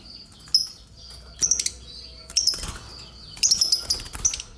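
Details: Lovebird reacting to being disturbed with scattered bright high chirps and short clusters of quick tweets, interspersed with fluttering and rustling sounds.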